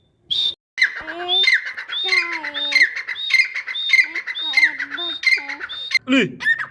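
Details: Female francolin (teetar) calling: a busy run of harsh, squawking, repeated notes with bright upper tones and some lower nasal components, about 94 repeats a minute, irregular in rhythm, with a brief loud onset.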